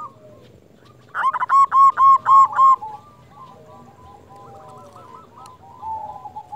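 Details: Local zebra dove acting as a lure bird, its cooing meant to draw other zebra doves into answering. One loud burst of six rapid, evenly spaced rolling coos, followed by softer, fainter cooing phrases from more distant doves.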